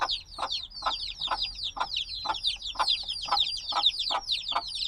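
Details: Cute black baby chicks hatched days earlier keep up constant loud peeping: many thin whistled notes sliding downward, layered together, with a soft thumping beat a little over twice a second.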